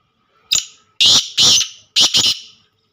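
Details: Black francolin calling: a short sharp opening note, then two loud, harsh, rasping notes and a quick clipped double note to finish, all within about two seconds against a quiet background.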